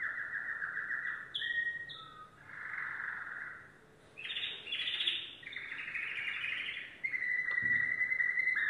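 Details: A yellow domestic canary sings a chain of distinct tours: rolling trills, a brief pause, then louder rapid chattering and a steady whistled trill to finish.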